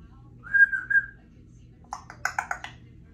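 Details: A pet female Congo African grey parrot, three years old, rehearsing sounds at home: a clear wavering whistle, then a quick burst of electronic-sounding beeps and clicks, indoors with a low background hum.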